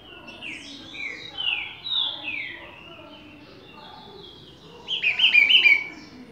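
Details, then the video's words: Green-winged saltator (trinca-ferro) singing in the Bacural or Bom dia seu Chico style: slurred whistled notes sliding up and down, softer at first, then a louder, brighter burst of rapid warbled whistles near the end. "Trinca Ferro BACURAL x Bom dia seu Chico"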